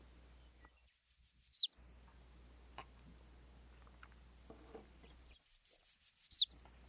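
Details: Yellow warbler (Setophaga petechia) song: two quick, high, very short songs, each a run of about eight bright sweet notes that speeds up and ends in a down-slurred flourish, quiet background.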